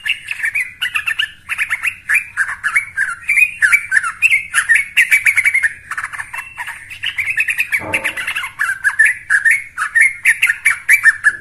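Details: A young yellow-vented bulbul chatters without pause, with bubbly, gurgling mid-pitched phrases tumbling over one another. A brief low thump comes near the end.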